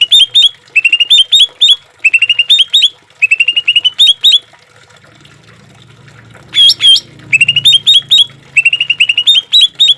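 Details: Green leafbird training song with trickling water: short bursts of quick, bright rising whistled notes in clusters of four to six, separated by pauses, with a soft low water murmur in the gap.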